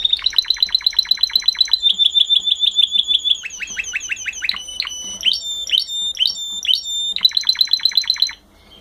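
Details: Canary song in quick-changing phrases: rapid trilled note series, a steady high rolling trill, then looping swept chirps and another fast trill before stopping abruptly, loud and clear with no other sounds.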